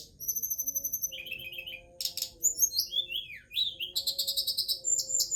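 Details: Forktail singing a fast medley: long thin whistles, then rapid trills of repeated chirps, sharp downslurred whistles and buzzy bursts, the notes high and crowded, with a faint low hum beneath.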